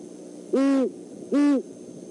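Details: Great horned owls, a male and female pair, visiting the Decorah eagle nest overnight, 17 December 2014; two evenly spaced, loud, low hoots, each lasting about a third of a second, against a quiet background.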